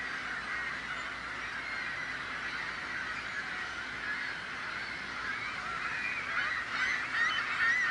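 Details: Gulls raising a din to drive off predators, with young birds calling for food from their parents; a constant wash of overlapping cries that swells toward the end, with a few clearer, higher squeals.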